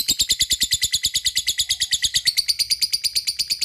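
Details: Lovebird cackling to call companions: a dense, rapid run of harsh high chirps, about eight a second, with a brief bright squeak partway through. The sound is unbroken and even throughout.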